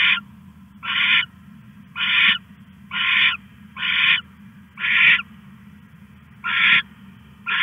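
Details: Owl at night, 1:41 AM on August 21, 2015, stashing a rat; harsh, raspy hissing screeches of about a third of a second, repeated roughly once a second in a steady series over a constant low hum.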